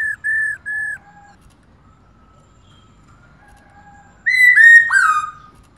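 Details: Female black-throated laughingthrush calling nonstop to excite males: three short, level whistles, then a quiet stretch with faint soft notes, ending in a loud burst of rapid, falling whistled notes.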